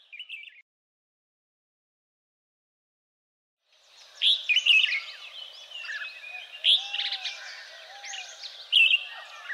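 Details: Red-whiskered bulbuls in Kaohsiung, Taiwan, recorded 30 May 2015, birds escaped from cages: a brief chirp, about three seconds of silence, then busy overlapping chatter and whistles from a group, with low curved notes underneath.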